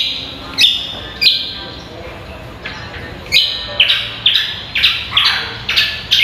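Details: Greater green leafbird singing on a training recording for songbird contests: a few spaced whistled phrases, then a quickening series of loud ringing notes packed close together toward the end.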